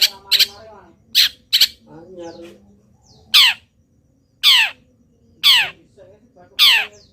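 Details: Long-tailed shrike, a local bird singing while molting, its song packed with imitations of wild birds: loud harsh squawks with falling sweeps repeated every second or so, with softer buzzy chatter between them.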